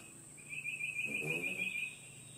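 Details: Male red-bellied woodpecker in a front yard gives one rolling, trilled churr lasting about one and a half seconds, fairly even in pitch. Faint low murmuring is heard beneath it, and a steady high hiss runs through the whole recording.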